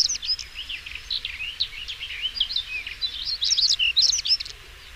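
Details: European stonechat song: a fast, scratchy jumble of high twittering notes and short squeaky whistles, running on almost without pause over a faint low rumble.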